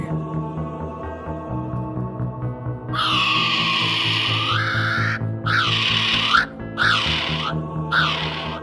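After three seconds, a kiwi gives loud, shrill, harsh cries, each rising at the end, about four in quick succession. Background music plays throughout.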